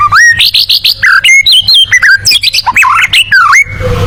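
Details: White-rumped shama, locally murai batu, in a tembakan song suited to contest birds: a rapid, loud string of varied whistles, chips and slurred rising and falling notes, closely packed for nearly four seconds.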